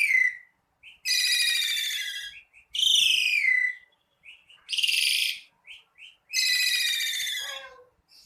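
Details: Asian pied starling (jalak suren) singing in lively, nonstop form: loud, harsh, rich phrases about a second long, five in eight seconds, separated by short high chirps and whistled notes, with a low descending note at the end; no other sounds.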